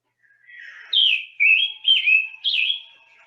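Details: Scarlet tanager song, robin-like but hoarse: a burry series of four slurred phrases about half a second apart, each with a raspy rising-then-falling contour, after a soft lead-in.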